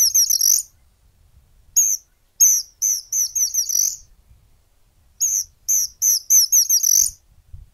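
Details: Variegated Flycatcher in Argentina singing rapid bursts of very high, thin, squeaky notes, one to six in a run, separated by short pauses; faint low rumble beneath.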